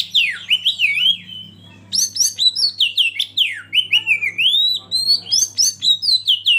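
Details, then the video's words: Oriental magpie-robin (kacer) lead bird provoking rivals to sing: two energetic bursts of varied, swooping whistles and sharp chirps split by a short gap, over a steady low electrical hum. "Masteran KACER Pancing Emosi dan bikin gacor yg lain"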